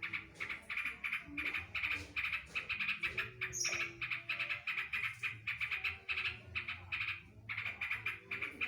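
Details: Yellow-vented bulbul performing green leafbird 'tembakan drodot' song phrases: a continuous stream of rapid, pulsed chattering bursts at an even pitch, with one brief high squeak near the middle.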